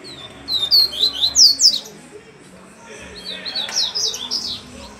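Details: Upside-down singing double-collared seedeater: a rapid string of piercing downslurred whistles, a pause, then a second softer, more jumbled phrase of high twittering notes.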